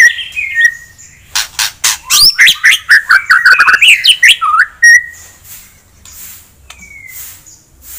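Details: A vigorously singing white-rumped shama, a fighter-type bird whose song is used to rouse a rival's aggression: varied whistled phrases, then a rapid run of loud sweeping notes rising and falling, ending in a clear whistle and quieter trailing notes.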